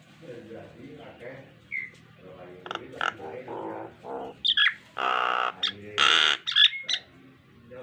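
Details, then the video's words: Nias hill myna, a model song for training pet mynas to sing: quiet varied chatter and short whistles build into loud, harsh, broadband squawks and rasping bursts near the end, with a brief high whistle in between. "BURUNG JALAK NIAS GACOR FULL ISIAN"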